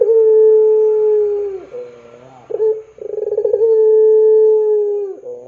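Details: Long, even coos from a puter pelung dove used to stir young doves: a sustained low note, a brief rattling pulse, then another drawn tone lasting about two seconds.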